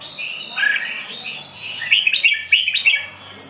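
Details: Red-whiskered bulbul delivering a continuous run of bright, warbling phrases, ending in a series of sharp, emphatic chirps. A low background hum runs underneath.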